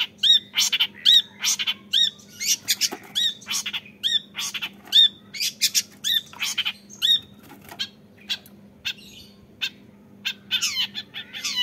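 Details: Young long-tailed shrike calling in a steady series of sharp high notes, each rising then falling, about seventy a minute, later breaking into harsher scratchy notes, with a low hum behind.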